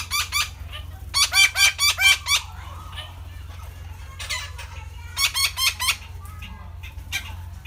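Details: Red-breasted parakeet giving loud, harsh, nasal squawks in rapid bursts of four to six notes, with a quieter burst near the middle and another loud series toward the end; a steady low hum underneath.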